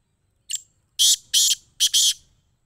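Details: Black francolin calling in Sindh, Pakistan: a brief soft introductory note, then three loud, harsh, grating notes in quick succession, the last two doubled, all within about two seconds, against a quiet background.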